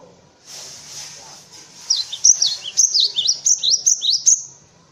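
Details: Cinereous tit song used for tutoring other birds such as white-eyes: quick series of high, sharp whistled notes, each dipping and rising, about eight phrases in under three seconds after a faint lead-in.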